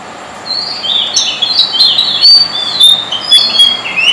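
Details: White-spotted fantail singing in darkness in Dombivli town, Maharashtra, India; a loud, rambling string of sweet high whistles, sliding and looping up and down, with a few sharp clicks and a steady background hiss.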